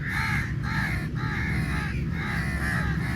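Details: A large number of crows fighting over meat while being fed; harsh, nasal caws come in quick bursts about every half second over a steady low rumble of background noise.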